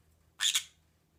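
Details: A pet green-cheeked conure indoors gives one sharp, harsh, high double-pulsed squawk, brief and loud, against a quiet room background.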